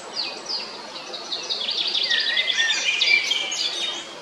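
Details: Song of a male Eurasian blackbird recorded 22 April 2021 at Jarun, Zagreb, Croatia: dense high chirping and twittering, with a steady drawn-out whistled note in the middle.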